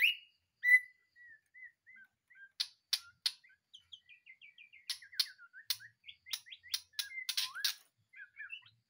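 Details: White-rumped shama (murai batu), a caged bird just taken from a breeding cage and singing busily: a varied run of clear whistled notes with sharp clicking bursts and rapid, chattering phrases, getting denser toward the end.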